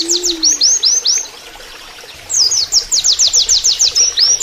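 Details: Oriental white-eye singing in canary-like fashion for use as a training master: a few bright upslurred whistles, a short pause, then an accelerating series of sharp high downslurred notes with a quick flourish at the end.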